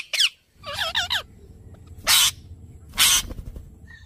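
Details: Alexandrine parakeet giving harsh, curling squawks, several fast warbled notes in quick succession, then two long, loud, rasping screeches about a second apart, with faint background hiss.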